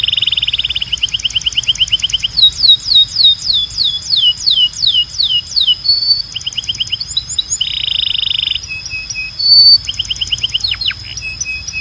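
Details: Belgian canary singing a strong, clean training song: high buzzy rolls, rapid series of falling whistled notes, short sweeps and a rattling trill, continuous, bright and loud.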